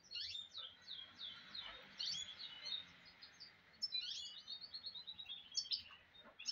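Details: Goldfinch mule (goldfinch hybrid) singing a rapid, twittering song of high, sweeping and warbled notes, with quieter phrases in between and a faint low background hum.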